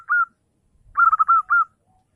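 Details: Morning song of a zebra dove, used as a lure for calling rivals: one lone whistled note, a pause, then a burst of rapid stuttering notes ending in two drawn-out cooing notes over silence.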